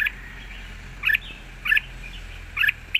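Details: Red-whiskered bulbul singing in a wild-style song with long phrasing: three short, bright chirping bursts spaced about a second apart over a steady hiss of background noise.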